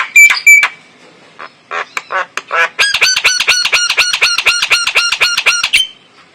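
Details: Lure sound of a male black-winged starling with white eyes: a few clear notes and scratchy chatters, then a rapid, even series of about twenty loud, harsh, nasal calls.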